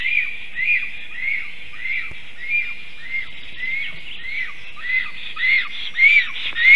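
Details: Black stork, a female singing while the male watches near a nest, recorded on 18 May 2023 at 11:40 am; arched whistled notes repeated about every half second over steady background hiss.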